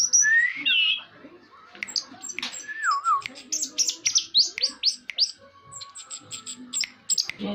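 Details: Orange-headed thrush song opening with a loud looping whistle, then a lower slurred phrase and a rapid series of high sharp notes and buzzy trills packed together.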